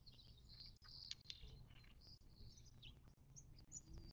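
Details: Birds at a watering hole in the western Mojave Desert of southern California, near Joshua Tree National Park, 19 March 2024. Bright high chirps cluster early, then sparser thin tweets follow over low background noise.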